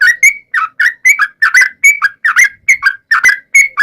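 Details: Yellow-vented bulbul singing a lure song meant to draw replies from other yellow-vented bulbuls: paired and single liquid notes, some rising and some falling, repeated in a quick, bubbling rhythm.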